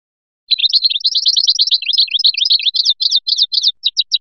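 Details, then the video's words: A European goldfinch from Biskra sings a fast, tinkling run of high twittering notes that ends in a few spaced, ringing chirps, with no other sounds. "تغريد مقنين"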